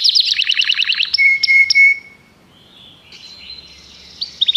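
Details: Common canary in song: a fast descending stuttered trill, then a pure steady whistled tone held briefly, followed by softer high warbling and short chirps.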